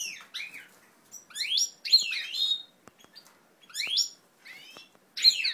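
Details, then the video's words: Native ancestral European goldfinches being paired up, recorded 20 March 2012: loud, slurred, rising-then-falling twittering calls in bursts separated by short gaps, with faint clicks between. "formazione coppie cardellini"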